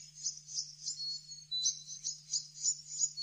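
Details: Blue-necked tanager recorded in Bogor: a continuous, very high, thin twittering of rapid shimmering notes that swell and fade several times a second, over a steady low electrical hum.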